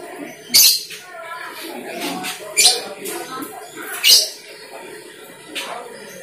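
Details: Asian glossy starling lure sound for calling wild birds of its kind. Four strong, rasping squawks are spaced about one and a half seconds apart over a low, murmuring background.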